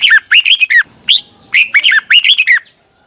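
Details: Red-whiskered bulbul song used for song training: loud, bright, warbled phrases of quick slurred notes, rising then dropping, in three close bursts, with a steady high insect drone behind.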